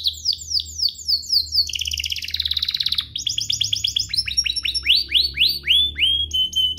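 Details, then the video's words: Canary song intended to get other canaries singing, with changing tours: repeated falling chirps, a buzzy rolled trill, a fast pulsed trill, then rising sweeping whistles in a row. "Pancingan kenari biar GACOR, kenari manapun langsung naik emosi habis dengar ini"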